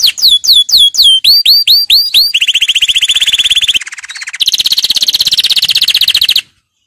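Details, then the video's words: Canary singing a training song: a series of repeated whistled upsweeps, then a long fast buzzy trill, a brief softer pause, and another rapid high rolling trill before sudden silence. "Canary 's most powerful song for training"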